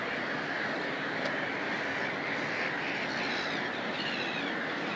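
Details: Black-headed gulls nesting at Lahti harbour: a dense, continuous din of harsh overlapping calls from many birds, with a few clearer ringing, wavering cries standing out near the end over steady background rumble.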